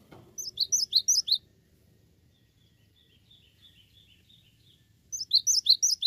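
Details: Cinereous tit, known locally as gelatik batu, in full song: two bursts of high, sharp two-part whistled notes, about eight quick repeats each, separated by a faint quiet stretch with soft distant chirping; a brief knock at the start.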